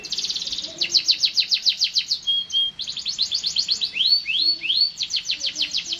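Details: Canary singing steadily: fast, evenly pulsed high trills broken by a short flat whistle, then three rising-and-falling slurred notes before the trilling resumes.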